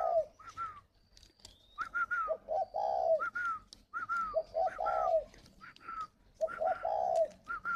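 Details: Several caged spotted doves at a Ba Vì breeding farm near Hanoi, northern Vietnam, in 'gáy gọi' calling. Low purring croo phrases alternate with higher, clearer coos in a busy, overlapping chorus.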